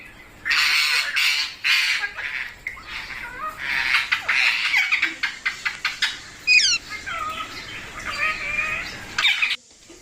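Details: Pet parrot indoors being spoken to by its owner, producing harsh, broadband squawks at first, then a rapid series of clicks and short chattering notes with thin downslurred whistles.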